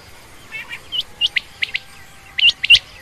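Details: Female quail, common or rain quail, making a brief run of sharp, high chirps, single and paired, over a quiet hiss, with a faint low hum running underneath.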